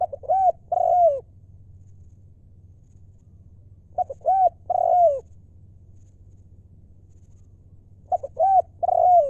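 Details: Wild-stock spotted dove decoy cooing in the 'lio' style, with phrases spaced about four seconds apart. Each has soft clipped notes, an arched coo and a long falling coo over a low hum.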